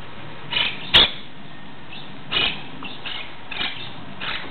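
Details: Monk parakeet (Myiopsitta monachus) recorded 17 July 2008 giving short, harsh, raspy squawks, about five in under five seconds, with a sharp knock and low background rumble.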